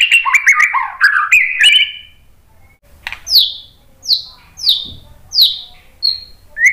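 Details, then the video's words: White-rumped shama lure song to get other birds responding: an opening warbled phrase, then a series of high, sharply falling whistled notes spaced under a second apart. "KICAUAN MURAI BATU memancing BUNYI jadi NYAUT"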